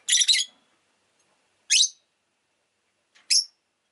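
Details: Pet rosy-faced lovebird giving three loud, harsh, high chirps, the first longer and doubled, spaced over about three seconds, with no other sounds.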